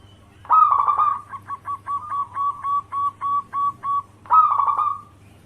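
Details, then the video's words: Local zebra dove singing as a lure for other doves. A rich rolling coo is followed by about eleven short, evenly spaced cooing notes, then another rolling burst, over a faint steady hum. "Pancingan perkutut lokal gacor suara cocok untuk pancingan semua jenis burung kutut dirumah"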